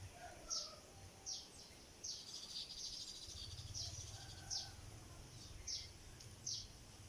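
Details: Sparrow calling while building a nest of palm leaves: short, high, sharp chirps given singly about every second, with a softer chatter between them over a low rumbling background.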